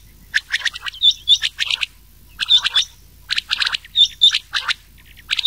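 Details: Rain quail mixed with old quail voices, played for summer night hunting: clusters of rapid, high, squeaky double notes, each burst lasting about a second and repeated after short pauses.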